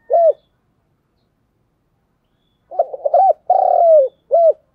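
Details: Lure spotted dove giving 'thúc gù' coos: a single hooked note, a pause, then a full phrase of stuttered notes, a rolling long coo sliding down, and a clipped final coo. No other sounds.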